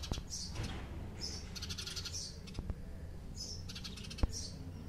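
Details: Chirping house sparrow gives bursts of rapid, sharp notes at irregular intervals, with scattered clicks and a steady low-pitched rumble behind.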